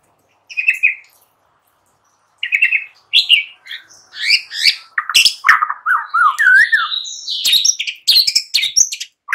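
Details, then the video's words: White-rumped shama singing as a morning lure: brief trilled notes after silence, then an increasingly continuous stream of varied whistles, harsh chips and a low warbled run, growing busier toward the end. "Hitungan DETIK SAJA Jadikan murai PAGI HARI Terpikat NGEPLONG dan GACOR"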